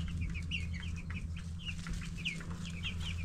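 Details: Young broiler chicks ten days old giving distinct high peeps, each a short downward-curving note spaced a fraction of a second apart, over a constant low hum.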